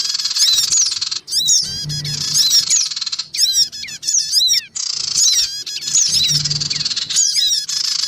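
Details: Recorded to lure small wild birds, noisy black-winged cuckooshrikes, adults and young, give harsh grating squawk bursts about once a second, alternating with rapid, scratchy twittering notes and a soft low hum.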